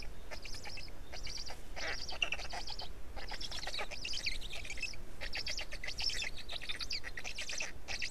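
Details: Black stork nest in Estonia on 20 May 2018 around 14:00, as an adult female returns at a change-over and feeds newly hatched chicks while a third chick hatches. Raspy buzzy bursts come in clusters with short gaps over a steady hiss.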